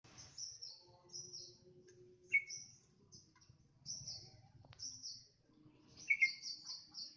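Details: Crocokan bird singing: short, very high buzzy-whistled bursts repeated irregularly, with a few sharper lower notes near the middle and end, over faint low background rumble.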